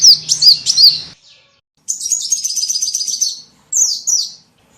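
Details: Calls played as a lure for small birds: a few piercing chirps, a pause, a rapid twittering trill, then two more slurred chirps after another gap.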